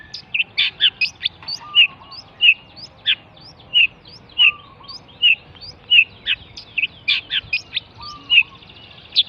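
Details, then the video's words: Pentet from Java delivering spaced, sharp high chirps and short downslurred notes at an uneven pace, with occasional soft lower whistles behind. "misteri pentet jawa"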